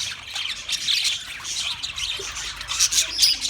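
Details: Noisy group of Australian parrots, March 15, 2024, giving grating high screeches in a steady overlapping wash, with a few louder squawks near the end.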